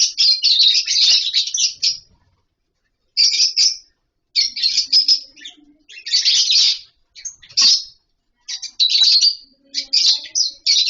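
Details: Lovebirds in a colony setup with nest boxes and mud bowls, eating, playing and singing; shrill, high chirps and squeaky chatter in dense bursts of one to two seconds separated by short pauses, several birds calling together.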